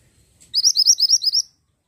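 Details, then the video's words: ['Pied bushchat singing: a clean, fast string of about seven high, looping whistled notes in under a second, on a nearly silent background.'] "BURUNG MANTENAN GUNUNG GACOR"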